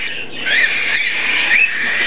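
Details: Pearl juvenile cockatiel chicks, able to eat on their own but being fed by their father, keep up a continuous raspy, wheezing hiss of begging, with brief higher squeaky notes rising out of it twice.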